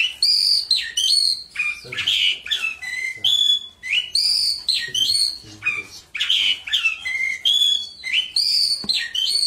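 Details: Mongolian lark, one of the four famous songbirds, in continuous varied song: many quick phrases of high slurred whistles, sharp notes and short level tones follow one another with little pause throughout.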